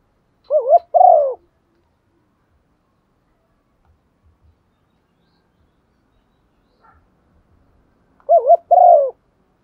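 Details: Spotted dove used as a decoy, urged to coo: two soft phrases about eight seconds apart, each a brief wavering note followed by a longer, slightly falling coo, over near silence.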